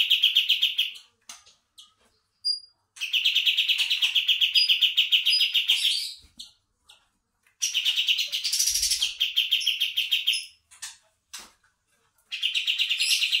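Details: Kapas tembak bulbul sound used as a bird-catching lure: long bursts of fast, even chirping notes, several seconds each, separated by short silences with a few sharp high single notes.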